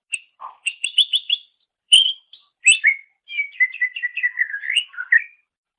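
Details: Greater green leafbird singing as a master for songbird training: a low note, then a quick series of repeated bright whistles, sharp high notes, and a long rambling warble of descending twitters.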